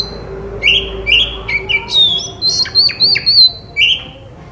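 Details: Magpie-robin song played as therapy so a silent bird answers: a few quieter downward whistles, then louder sweeping notes and quick sharp clicks, ending on a softer slurred whistle; low background hum.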